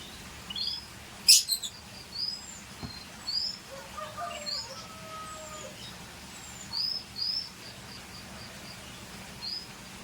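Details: Scotch Fancy canary with scattered high thin whistles and chirps, a loud click early on, and a few lower drawn-out whistled notes in the middle.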